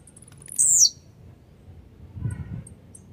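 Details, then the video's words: Aggressive, grumpy blue-black grassquit singing to warm up other birds. One sharp, high, buzzy phrase sweeps downward near the start, followed by faint ticking and low rumbling noise. "esquenta seu tiziu🔥tiziu rabugento"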